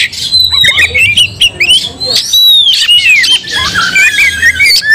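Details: Agitated Oriental magpie-robin giving fighting song that rouses rival magpie-robins: bright slurred whistles sweeping up and down, interspersed with rasping, crackly notes in a dense, unbroken stream.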